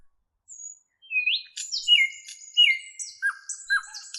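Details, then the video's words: Birds chirping: high thin whistled notes, rising and falling slurred chirps and short sharp calls overlapping in quick succession. "birds chirping"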